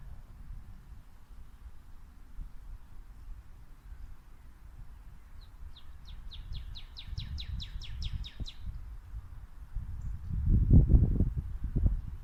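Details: Female northern cardinal singing: a quick, accelerating run of about a dozen bright, downslurred whistled notes, lasting roughly three seconds, over steady low rumbling background noise.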